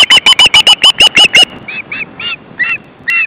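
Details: Osprey at a nest with chicks, 29 August 2012 at 17:18: a rapid run of shrill whistled yelps, then a few slower, softer, separate chirps.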